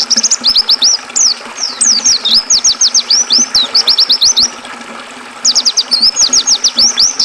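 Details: Caged-bird training track of Oriental white-eye song over river water: excited runs of high, quickly repeated hooked whistles, some rising and falling, a short lull near five seconds, then the fast twittering resumes.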